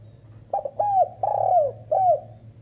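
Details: Female spotted dove calling: a stuttering series of low, soft coos, two short notes then longer hooting phrases that bend downward, ending with a final drawn-out coo, over a steady low indoor hum.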